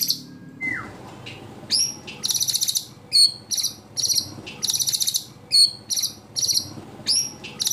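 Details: White-rumped shama delivering 'tembakan' competition phrases with mimicked fill-ins: a falling whistle opens, then rapid buzzy high bursts and sharp upslurred notes in quick succession over a faint background hum.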